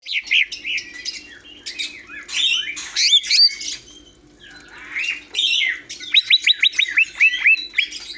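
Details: Greater green leafbird singing a varied run of loud whistled and slurred phrases, ending in a quick series of sharp, repeated rising notes, over a faint steady low hum.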